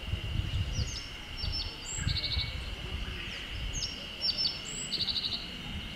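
Japanese yellow bunting: two high, thin phrases about three seconds apart, each ending in a quick four-note trill, over a steady insect drone and low wind rumble.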